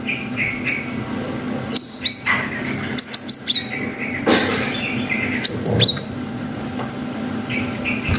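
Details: Cinereous tit in full song, long 'wucit' variations played to excite young birds into replying. Sharp high whistled bursts come in short groups of three to four, with faint chirps between and a brief rustling noise mid-way.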